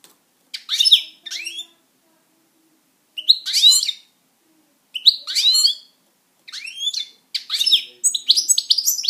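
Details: A pet European goldfinch sings in separate short bursts of sharp twittering notes, each lasting under a second and spaced by quiet gaps of one to two seconds.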